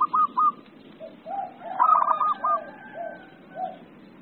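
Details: Agitated zebra dove ('emosi') song: short clipped coos, then a dense trilling phrase of rapid notes. Softer, lower, drawn-out cooing notes from another dove repeat throughout, over a low background hum.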